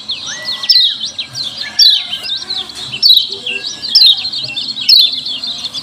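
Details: Lemon-bellied white-eye 'ciak ciak' lure calls: crowded shrill twittering with loud chirp bursts about once a second, opening with a rising then level whistled note.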